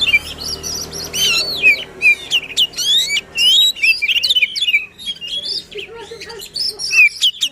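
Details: White-rumped shama delivering passionate song to rouse a silent shama: varied whistled slurs, sharp chips and buzzy rattles in rapid succession, with a low steady hum in the background.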